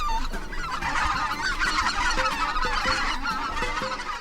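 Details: Greater white-fronted geese (Anser albifrons) wintering in Korea, recorded by day above the Imjin River's basalt cliffs: a flock flying in V formation gives a constant chorus of high, yelping, overlapping honks, keeping formation and signalling to swap lead positions when tired.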